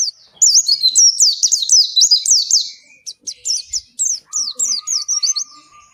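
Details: Oriental white-eye ngalas song, used to urge caged white-eyes to sing: bursts of rapid high swooping whistles, then choppier notes over a steady faint lower hum.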